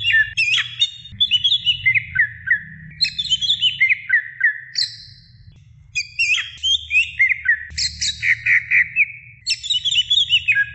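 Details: Female greater green leafbird calling for the male, giving quick phrases of high, sliding whistles that step downward in pitch, repeated in short runs over a steady low background rumble.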